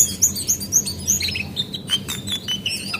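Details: A female Javan white-eye's lure call, used to prompt singing: rapid bright chirps at the start give way to short scratchy notes and sharp ticks.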